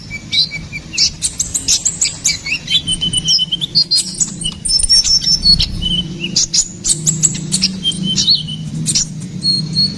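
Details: Ruby-cheeked sunbird song used as a master and lure recording for songbirds: rapid high twittering, sharp chirps and thin whistled notes in quick bursts, over a low steady hum.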